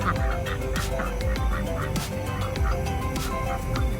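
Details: A male pet domestic duck, one of the drakes that guard the flock and give alert sounds about danger, gives soft, hoarse, raspy quacks about one per second, low and breathy; background music throughout.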